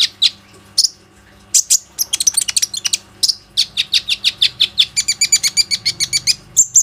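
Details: Plain-throated sunbird singing as a lure to get other sunbirds to sing, recorded on a phone: sharp, high separate chirps at first, then a fast run of evenly repeated bright notes, about three or four each second, to the end.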